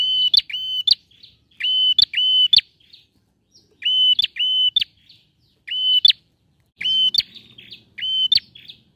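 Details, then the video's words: Male bar-winged prinia singing repeatedly to lure a silent bird into song: about eight phrases of paired flat whistles with crisp clicks, delivered in bursts across nine seconds, faint hum near the end. "PRENJAK JANTAN GACOR"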